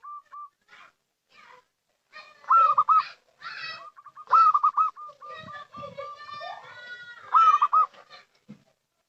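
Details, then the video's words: Local-type zebra dove lure calling: repeated loud trilled phrases, each followed by strings of short level coos, with other harsh, overlapping bird calls around them. "Suara Panggilan PERKUTUT LOKAL , Paling Cocok Untuk Pancingan"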